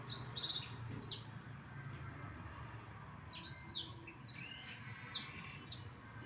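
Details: Black-throated canary giving sharp, high, upslurred chips and short twittering notes in two loose bursts, a quiet gap between them, with faint low background hum.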